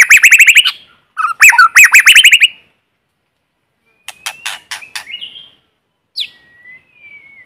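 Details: White-rumped shama singing in forest, a lure bird without background noise: a fast rattling series of repeated notes, then clicks and thin drawn-out whistles.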